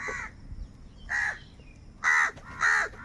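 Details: Four harsh caws from crows competing for food, roughly one every second and rising in loudness, the last two strongest, with a quiet background between them.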